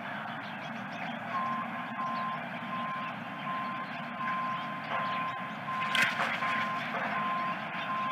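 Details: A truck's reversing alarm beeps repeatedly over engine and traffic noise near a ranch on September 13, 2022, with faint voices and no osprey calls heard.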